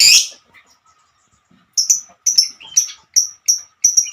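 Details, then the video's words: Lovebird hen with part of a 'ngekek' song. A brief harsh burst is followed by a short silence, then seven clear, sharp high chirps evenly spaced about every half second. "Kicauan burung Lovebird"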